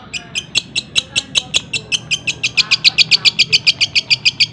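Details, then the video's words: Long-tailed shrike (cendet) singing a fast, dense fill of tengkek buto imitations, joined to greja and kunti phrases; sharp high chips in a steady run of about three to four per second, kept for tutoring other birds. "CENDET ISIAN TENGKEK BUTO SPEED RAPAT SAMBUNG GREJA SAMBUNG KUNTI"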